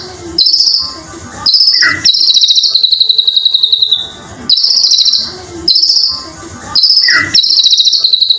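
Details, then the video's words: White-rumped shama in full mimicked song, meant to coax and tutor other shamas into singing: short bursts of shrill, buzzy, high rattles alternating with quick downward-sliding notes, separated by brief gaps and abrupt cuts. "murai batu gacor full isian"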